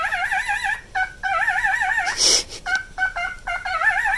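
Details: Nine-year-old male pet cockatiel giving wavering vibrato whistles, then a brief noisy burst, followed by short stuttering toots and more trembling notes.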